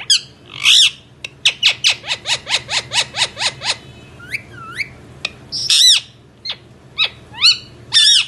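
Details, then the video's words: Indian ringneck parrot delivering a steady series of about ten short descending squawks, roughly four per second, then gliding whistles and loud harsh arching calls, with low room hum behind. "parrot saying funny things"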